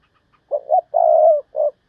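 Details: Spotted dove acting as decoy, thúc bổi style: a deep three-part phrase with two brief coos, a long vibrating coo, then a short closing coo, loud and clean.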